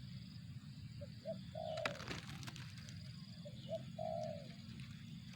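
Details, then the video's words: Two coo phrases from a spotted dove, brief hoots then a drawn-out throaty note, separated by a short burst of rustling noise, all over a steady low rumble and high drone. "suara burung tekukur"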